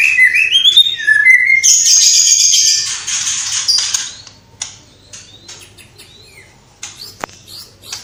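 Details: Singing white-rumped shama mixing in sparrow, fighting-lovebird and kapas tembak imitations, Cililin: looping whistled notes rising and falling, a hissing high chatter, then quieter sporadic clicks and a sharp snap.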